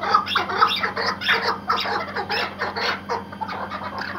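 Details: Tethered Iraqi white hunting partridge giving irregular bursts of coarse, raspy chuckling notes, some clustered, others spaced, over a constant low hum.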